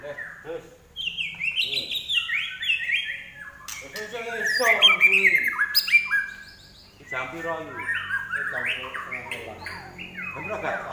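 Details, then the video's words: Larwo (common iora) in vigorous song. A long, varied stream of whistles, chattering trills and buzzy notes rises to a dense middle passage, pauses, then resumes with rapid chirps. "larwo Gacor"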